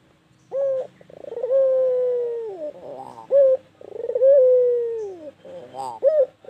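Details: White Barbary dove kept in captivity, calling at length: a brief clear note, then a stuttering pulsed roll leading into a drawn-out descending coo, repeated twice with a short note at the end.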